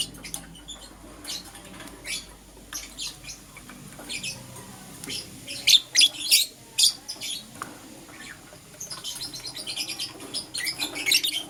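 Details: Morning chatter of euwing green opaline and lutino lovebirds: quick high chirps and squeaks in irregular clusters, about three per second, louder bursts midway and a busy twittering run at the end, with light rustling.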